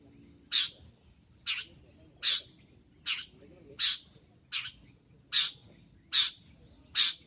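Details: Long-tailed shrike, a training recording packed with song fillers: nine sharp, high, clipped notes repeated about every 0.8 seconds at an even pace over a quiet background.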